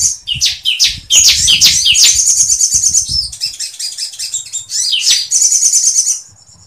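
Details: Caged sooty-headed bulbul singing a full, busy song packed with mimicked phrases including woodpecker material: dense high whistles and rapid chattering notes, sharp trills and slurred sweeps in quick bursts, with brief pauses and faint low knocks beneath.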